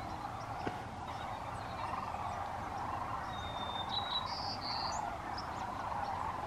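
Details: At sunset in California, a distant mass of sandhill cranes, still arriving with ducks to roost at a refuge for the night, makes a steady, rolling, gurgling chorus, with a few thin, high whistles from smaller birds over it.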